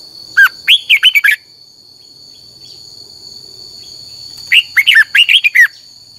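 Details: Red-whiskered bulbul singing a fired-up 'căng lửa' style training song, used as a lure song for training other bulbuls: two quick phrases of about six warbled, sliding notes, roughly four seconds apart, over a steady high-pitched whine.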